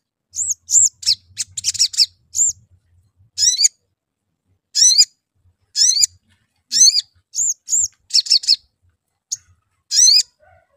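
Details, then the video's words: Sooty-headed bulbul lure recording, played to make the bird sing: sharp, high chirps in short bursts and clusters, some with rapid downward sweeps, repeated irregularly every second or so, with faint low rumbling beneath. "Cuit Cuit. Crecet. PANCINGAN AMPUH SOGON AGAR BUNYI"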